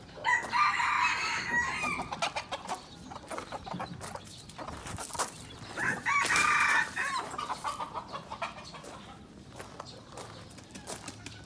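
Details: Red junglefowl from Aceh, a young lure bird, crows twice, each a loud rasping burst, amid clicking and rustling background noise.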